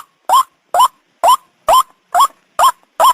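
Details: Ruak-ruak lure call of a white-breasted waterhen: seven forceful, rasping notes with a rising inflection, delivered in a steady rhythm of roughly two per second.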